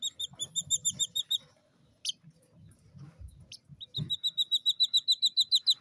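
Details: Three captive Jungle Bush Quail chicks aged two days, in the UK; quick series of high whistled peeps, a pause with a couple of sharp chirps and soft low rustling, then steady fast peeping resumes.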